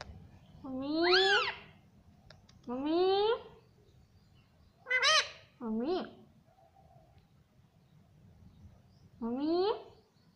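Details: Talking parrot saying mummy: five separate voiced syllables spaced a second or more apart, each a quick upward sweep, with some shrill and squeaky, and quiet pauses between them.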